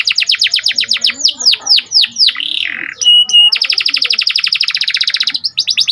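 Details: Panda canary in full song, trained songbird: fast runs of sharp descending chirps, slurred sweeping notes, a brief pure whistle, then a rapid steady buzzy trill repeated about four times per second.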